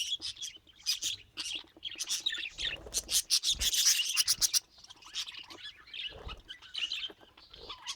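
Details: Pet budgerigars keep up a dense, high chirping chatter of rapid twittering notes. Repeated scraping or rubbing noises run through the middle of the recording.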